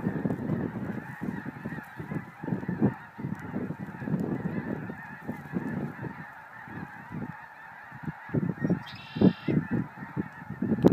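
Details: Arriving flock of snow geese giving a steady chorus of overlapping honks and barking yelps, rhythmic louder pulses throughout, with a brief high buzzy sound near the end.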